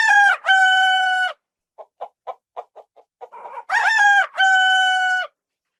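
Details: Rooster on a farm crowing: a loud, harmonically rich two-part cock-a-doodle-doo, then a run of about eight short soft clucks, then a second full crow of the same falling-then-held pattern.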